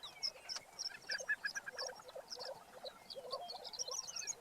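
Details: Several Lesser Prairie Chickens displaying on a lek in Kansas on April 19, 2015: overlapping low bubbling, hooting notes blend with squeaky high whistles and cackling yelps in a dense chorus.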